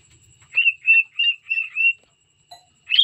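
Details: Cockatiel sings a series of five short, rounded whistled notes at a steady pitch, followed by a brief rising whistle.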